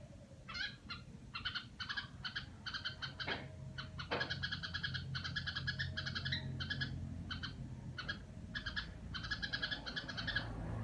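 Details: Red-whiskered bulbul kept at home, delivering "rò": a long, almost continuous stream of scratchy stacked chatter notes in quick groups, with a couple of sharp clicks and steady low hum behind.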